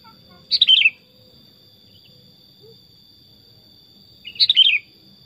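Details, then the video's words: A tame, chatty pet sooty-headed bulbul (kutilang) in its natural forest-style song gives two short, bubbly, chuckling phrases about four seconds apart over a steady high-pitched whine. "Kutilang Super Gacor Suara Alami Hutan"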